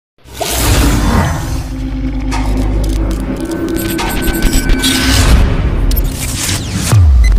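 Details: Loud electronic music with a deep booming hum and sharp tonal sweeps plays throughout, without any animal sound.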